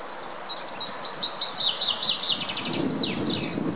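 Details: Several greylag goslings feeding in the Munich Botanical Garden, Germany, keep up a dense, continuous chorus of high, thin, falling peeps, overlapping rapidly, with some low rustling near the end.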